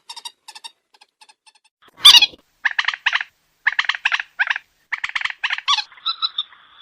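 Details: Common moorhen, recorded as a night lure, opening with faint ticking notes, then a loud harsh burst followed by repeated clusters of quick, harmonic clucks and a final drawn-out note.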